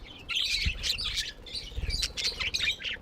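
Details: Budgies chattering in a flock, bursts of scratchy warbled chirps and squeaks, with occasional low thumps.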